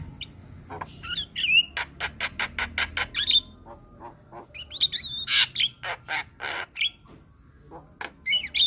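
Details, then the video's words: Lively white-eyed Javan myna song from a master track: bursts of harsh squawking notes alternate with short sharp whistles and scratchy chatter, with brief pauses between phrases. "Masteran Jalak Kebo Mata Putih - Jalak Kebo Gacor Dengar Kicauan Jalak Kebo Masteran"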